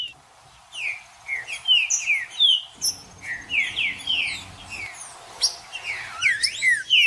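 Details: Green-winged saltator (trinca-ferro) singing to stimulate a cold bird: brisk sequences of bright, falling whistled notes, roughly two or three per second, repeated in phrases separated by short gaps.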